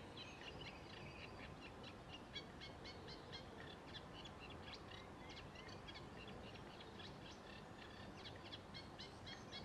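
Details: A Eurasian reed warbler sings by Sculcoates Lane, Hull, in spring while the reeds are still short: a steady, chattering run of short scratchy notes, several per second, over a constant low rumble of background noise.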